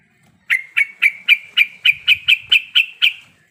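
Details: Female yellow-vented bulbul in breeding condition calling the male: a rapid series of about eleven sharp, bright chirps, each dropping into a short ringing tail, given roughly four per second.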